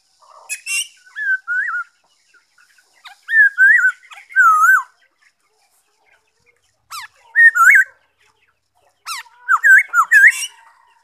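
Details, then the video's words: Black-throated laughingthrush song recorded on 5 May 2021: groups of wavering, warbled whistles with slurred up-and-down inflections, delivered in short bursts with silent gaps between phrases, plus a few sharp higher notes. "Saib noog sab hwj zoo nkauj,bay khuou,นกกะรางคอดำ"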